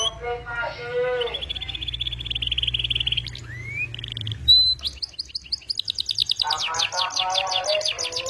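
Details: Canary in vigorous 'gacor' singing with a melodious 'cengkok' style: low warbling harmonic notes, then a long high buzzy trill, a rising whistle, and fast rattling rolls near the end over a steady low hum.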